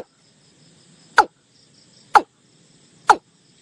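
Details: Lure call of a watercock for bird hunting: three sharp, knocking notes dropping in pitch, roughly one second apart, with faint hum between them.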